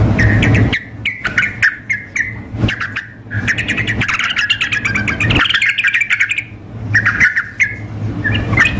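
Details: Sooty-headed bulbuls in a contest-simulation mix of a female calling a male and an energetic male: bright, bubbly chattering phrases near the upper-middle range, rapid notes repeated in bursts with short gaps, over a steady low engine-like rumble.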